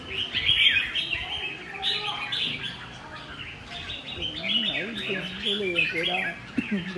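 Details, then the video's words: Red-whiskered bulbul in the "ché" singing style: fast, squeaky, warbled high phrases repeated in runs, while a man speaks in the background during the later seconds. "Siêu ché đã trở lại. Chào mào chơi căng"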